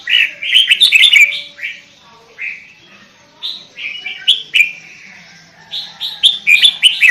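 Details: Energetic sooty-headed bulbul song: mellow whistled notes that slur downward, delivered in fast clusters, then spaced singly, then clustered again, over a quiet background.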